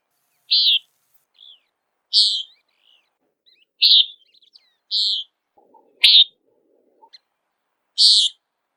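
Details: Buzzy, honk-like peent calls of a Common Nighthawk flying and searching for insects, six loud notes roughly every one to one and a half seconds with softer chips between them.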